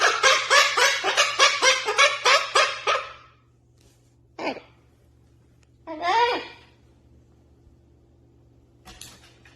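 A cockatiel chatters in a fast run of harsh, repeated notes, then gives a few separate squawks.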